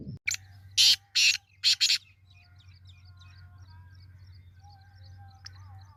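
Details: Black francolin calling, 22 February 2025: one sharp note, then four loud rasping bursts within about two seconds. Faint whistles and twitters of other birds follow over a steady low hum.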